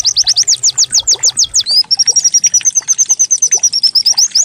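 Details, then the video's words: Canary-like pleci (white-eye) decoy song to make birds sing: loud, quick downslurred whistles lead into a rapid, level trill of tiny high chirps. "Pancingan pleci agar cepat buka paruh || pleci serasa canary"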